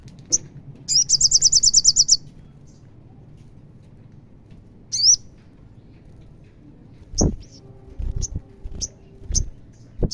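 An Olive-backed sunbird gives a fast, high, thin trill of about ten notes, then sharp, isolated high chips. A few low knocks are heard near the end.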